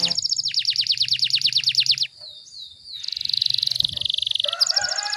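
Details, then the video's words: Dense rapid-fire canary training song for home tutoring: two seconds of quick downward-swept notes, then a smooth gliding whistle, then a steady buzzing roll, with faint low hum underneath. "MASTERAN KENARI FULL TEMBAKAN RAPAT"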